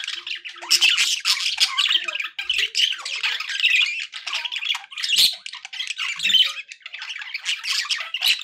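Budgerigars chatter in a steady stream of high, scratchy warbles and squeaky chirps.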